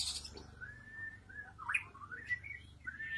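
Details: Long-tailed shrike kept in a cage by a house, giving thin sustained whistles that slide up and down, with a sharp rising note in the middle and quiet background hum.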